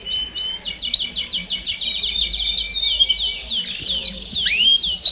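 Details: Canário do reino, domestic canaries, in a 'baderna' chorus of song used to stimulate young birds to sing sooner: dense, high rolled trills of rapid repeated notes, with brief sweeping whistles near the end.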